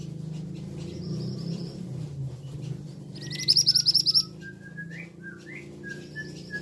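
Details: Male scarlet minivet giving one brief burst of quick, piercing high notes midway. Softer slurred whistles rise and fall around it, all over a constant low background rumble.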